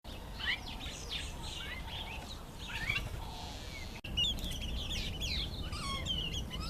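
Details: Karoo thrush displaying to impress females: busy run of short whistled and chattering notes, mostly high, rising and falling slurs in quick succession, with a brief break near the middle and a steady low background rumble.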